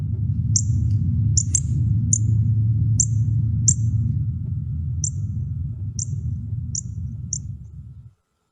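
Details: A Northern Cardinal gives its call: about ten sharp, high, toneless simple chip notes with unpredictable pauses, some shorter and some longer, over a steady low rumble.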